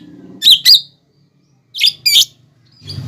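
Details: Lesser green leafbird masteran for training birds, with fighting sparrow, lovebird and hummingbird imitations; two pairs of sharp squeaky chirps separated by a pause, over a low background rumble.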